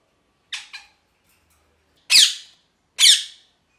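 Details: Parrot calls in quiet surroundings: two quick short rasping chirps, then after a gap two loud, harsh squawks about a second apart, each tailing off.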